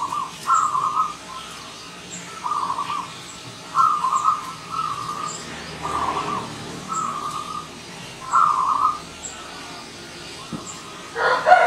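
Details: Wild zebra dove arriving as a visitor, giving a series of soft, warbling, rolling coos at mid pitch, roughly one phrase every one to two seconds, with faint higher bird chirps in the background.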